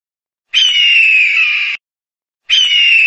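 An eagle gives a long, harsh, hoarse scream lasting over a second, then starts a second one about two seconds later. No other sounds are present.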